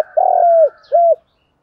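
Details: Spotted dove calling to stimulate other doves, gáy thúc style, male and female kept birds. A single long, smooth coo that falls at its end, followed by a shorter rounded coo.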